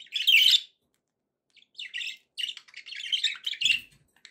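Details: Budgie warbling: a loud scratchy burst, a pause, then a long, busy chatter of mixed twittering and buzzy high notes, with a faint low rustle near the end.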